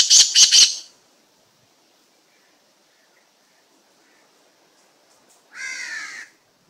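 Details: Black francolin described as an unusual slate-grey bird: three quick harsh, rasping bursts at the start, then a long gap of near silence before a single drawn-out, strained, nasal note near the end.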